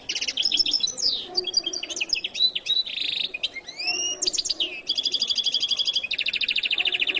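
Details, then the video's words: Varied song of a goldfinch known as jilguero latino: quick whistled twitters and sweeping slurs, then a long, even, rapidly pulsed buzzing trill repeated in two sections. "canto de jilguero latino"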